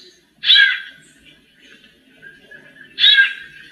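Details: Two bright, harmonic-rich phrases about two and a half seconds apart from a female white-necked thrush imitating male song, used as warm-up, with a soft low murmur underneath between bursts.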